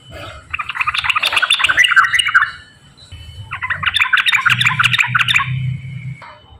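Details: Yellow-vented bulbul in rapid, lively 'ropel' singing, used to stir quiet bulbuls into song: two bursts of dense, chattering warbled notes, each about two seconds long, separated by a short pause, with a low hum underneath.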